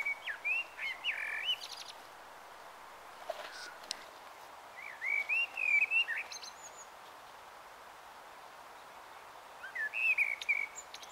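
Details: Common blackbird singing its evening song at dusk in Taunton, Somerset, on 21 March 2018 around 18:12: warbling fluted phrases that end in high twittering flourishes, with pauses of several seconds between phrases over quiet background hiss.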